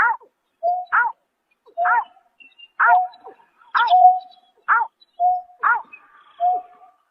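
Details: A greater painted-snipe at night, March 2024, gives a steady series of about seven rough, downward-arching notes, each joined by a level mid-pitched hoot, spaced about a second apart with silence between.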